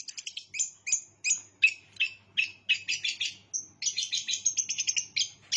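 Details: Long-tailed shrike singing actively with bar-winged prinia mimicry woven in: bright, harsh chattering notes in quick bursts, a brief pause, then a dense run of rapid, buzzy repeated chips to the end.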